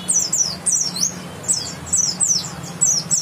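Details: White-eye known as bukstoni, West Java, grey-white breast with a yellow line, giving loud high downslurred chirps in quick pairs and triplets, repeated roughly every half second.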